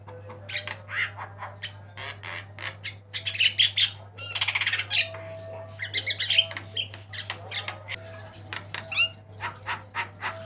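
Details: Javan myna, white-eyed type, singing a varied master song for training cage birds: a long, busy stream of scratchy chatter, rattles and brief whistles, with a fast burst of repeated notes midway and steady background hum.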